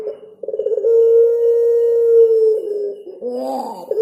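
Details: Puter pelung collared dove with cengkok ornamentation: a few quick stuttering notes lead into a long, level, drawn-out coo, followed by a wavering, tremulous closing phrase.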